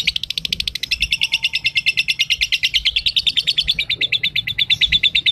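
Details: Lovebird said to be ambrol and mabung konslet, delivering a loud unbroken chattering trill of fast, evenly spaced squeaky pulses for the whole stretch, with faint low background noise.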